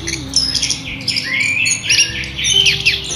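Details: Orange-headed thrush (Geokichla citrina) singing a loud, fast, clear run of varied high whistles, slurred rising notes and scratchy phrases, with a faint low hum underneath.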